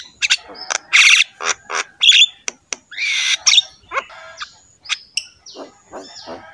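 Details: Varied Javan myna song meant to spur pet mynas into singing, with scratchy squawks, clicks, a rising buzzy phrase and thin whistled notes scattered in irregular bursts.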